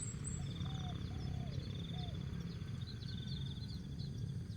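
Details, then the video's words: Asian spotted dove giving song of the jergot, tapau and bungkus styles: three soft, low, rounded coos early on, with high chirping birds, a continuous insect buzz and low steady noise behind. "Jergot,Tapau, Bungkus Burung Tekukur/Terkukur"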